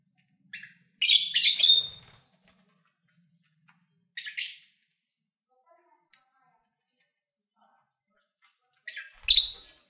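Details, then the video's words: Pet lovebirds recorded while eating and playing utter clusters of scratchy high chirps and squeaky rasps, spaced by a few seconds of silence, with one brief low thud at the end. "1 Hour Lovebird Sounds"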